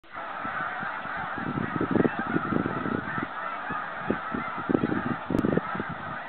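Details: Snow geese in 2013, a flock heading home on migration: a dense, continuous chorus of overlapping high honks, with low, irregular thumping pulses through most of the recording.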